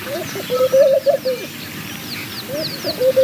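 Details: One short bubbly coo phrase from a laughing dove, low and wavering, followed by a fragment of another, while other small birds chirp with quick high notes.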